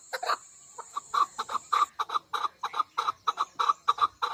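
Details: Female chukar partridge giving a run of husky, paired clucking notes, repeated at an uneven pace after a short opening burst. A steady high whine sounds faintly through the first half.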